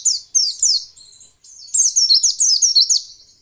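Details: White-eye bird, said to be a female, singing to prompt other white-eyes to answer: a few sharp descending chirps, a thin drawn whistle, then a lively string of quick high warbled notes.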